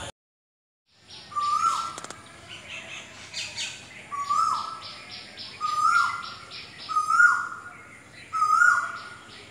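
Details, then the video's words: Asian koel (kokil) song: a clear whistled note with a sharp onset and falling tail, repeated five times about every one and a half seconds, over a busy backdrop of higher chirping birds. "Song of Asian Koel / Kokil"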